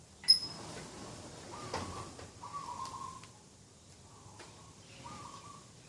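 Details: Dove calling in the early morning by a garden, 2 October 2021, with four soft, level coos following a sharp click and brief knocking sounds nearby.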